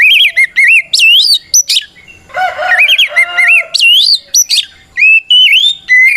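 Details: Oriental magpie-robin (kacer) in loud, open-voiced ngeplong fighting song that calls a rival and provokes other magpie-robins to answer. Rich whistled phrases with rising and wavering notes sound in bursts, broken by a short, lower, grating passage.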